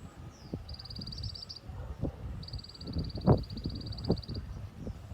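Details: White-eye singing 'tành tạch': two long, rapid trills of high clicking notes, the first slightly uneven, with low rumble and a few sharp knocks behind.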